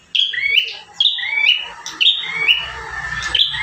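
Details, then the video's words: Bar-winged prinia in lively song, one of five variations used as a master recording for caged birds; paired whistled notes, the first high and falling, the second lower and rising, repeated about once a second. "Burung prenjak tamu gacor 5 variasi mantap jiwa"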